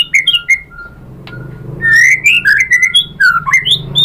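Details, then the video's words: Shama lure song with varied content, used to prompt other white-rumped shamas to sing back: a few sharp whistles and a thin sustained tone, a quiet gap, then a fluent string of rich rising and falling whistled notes. "MURAI BATU jadi ikutan NYAUT GACOR BONGKAR MATERI ISIAN ¦ PANCINGAN MURAI ¦ SHAMA BIRD"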